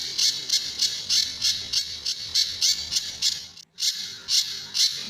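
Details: Sunda bush warbler song in tembakan and besetan style, used to train other birds: brisk harsh high notes repeated about three per second, interrupted by a short silence midway, then continuing.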